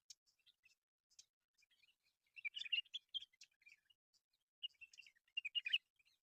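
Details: Scattered sharp ticks and chirps from mynas in a local reserve, with two louder bouts of squeaky, grating chatter.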